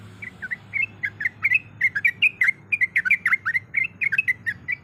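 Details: Breeding female sooty-headed bulbul calling for a male, played as a lure: quick repeated chirpy, bubbly notes in an uneven run, some doubled, over a quiet low hum.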